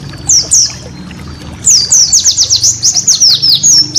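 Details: White-eye master song for training cage birds: two high falling notes, a pause, then a lively string of quick, very high, downslurred chirps and whistles over faint low background hum.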